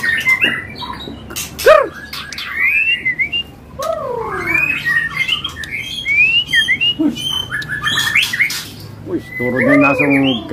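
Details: A captive, in-form white-rumped shama kept among birds for sale sings loud, varied whistled phrases with rising and falling slurs, broken by harsh chattering squawks, with a man's voice and faint music behind.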